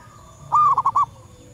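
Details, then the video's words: Wild female zebra dove calling for males, a lure sound: one sustained mid-pitched coo running straight into three quick rounded coos, over a low hum. "Suara perkutut alam liar pikat burung sekampung nyaut penuh emosi"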